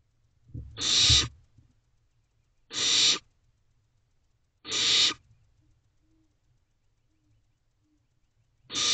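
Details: Young barn owl at night in an owl box, 17 May 2023, shortly after 2:30 am, showing off its wings. Loud rasping hisses repeat about every two seconds, four bursts in all, with quiet shuffling sounds in the gaps.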